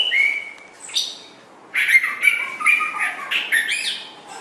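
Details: White-rumped shama song for training songbirds: a long level whistle, a sharp rising note, then quick repeated whistled phrases with lower slurred notes beneath.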